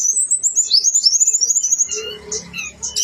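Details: Blue-winged leafbird (tledekan gunung) singing energetically, a full song with all its fill-in phrases: a fast run of high, sliding whistled notes, then scattered sharp chirps and a brief low buzz in the background.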